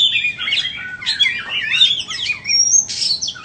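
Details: White-rumped shama for sale delivering melodious, looping whistled phrases that slide up and down, ending in a brief sustained high note and a scratchy burst.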